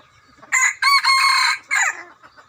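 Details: Decoy rooster kept for luring birds into a trap crows loudly: a short harsh opening note, then a long ringing, strongly harmonic middle section and a falling final note, all within under two seconds, against a quiet background.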